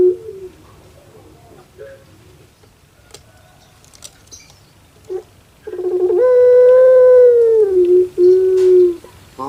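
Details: Pet puter pelung dove: soft scattered clicks and quiet low notes, then one loud, long, steady cooing tone that dips and ends with a shorter low coo.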